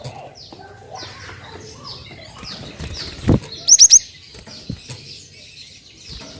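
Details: Cinereous tit lure sound for prompting other birds to sing, a single quick burst of three high whistled notes amid a busy wash of faint chirps and a low thud.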